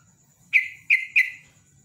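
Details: Yellow-vented bulbul in rapid 'ropel' style, used as a lure to get other birds singing: three short bubbly, falling notes in quick succession, each ending in a slight slur, with a faint steady high whine behind.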